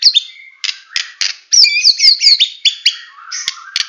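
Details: Full tembakan song from a Medan white-rumped shama: short buzzy bursts, then a fast run of looping whistled sweeps about three per second, ending in harsh buzzes and a lower whistle.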